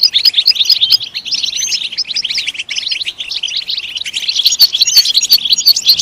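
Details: European goldfinch pouring out a busy, twittering song of crisp high chirps and short trills, steady throughout with small swells; intended to encourage goldfinches to sing.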